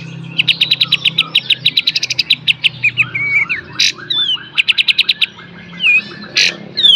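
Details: Kapas tembak delivering a full beset and tembak master song used to train cage birds: long fast rattles of sharp high notes, broken by noisy bursts and short whistles, with soft lower chattering behind.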